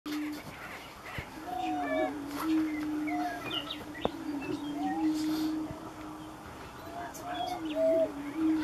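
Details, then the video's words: Prairie chickens at a mating dance in the sandhills of Nebraska: a low, steady, hollow moaning drone with gliding bends, overlaid by higher rising whoops and brief cackling notes from several birds in the open. "Prairie Chicken mating dance in the sandhills of Nebraska"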